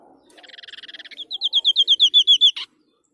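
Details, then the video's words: Sniper babbler (white-breasted babbler, Stachyris grammiceps) sings a fast, high buzzy trill that breaks into about ten loud, clear, rapid-fire "gunshot" notes, ending with one harsh burst. "Tembakan burung sniper gacor"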